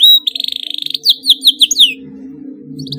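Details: Excited canary singing a tight, rapid roll meant to prompt other canaries to sing: a high trill of fast pulses, then a run of descending whistled sweeps repeated about every fifth of a second, with a faint low hum behind.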